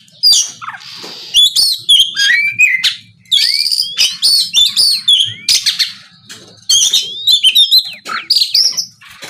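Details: Vigorous 'gacor ngeplong' song of an Oriental magpie-robin, played to provoke rival birds: dense bursts of varied whistles, rising and falling slurs and scratchy buzzes in quick succession, almost without a break.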